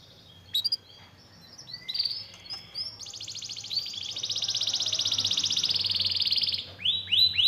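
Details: Canary song for stirring a lazy canary to sing again: scattered chirps build into a long, loud, evenly pulsing buzzy trill lasting several seconds, then break into separate rising sweeps, with a low background hum.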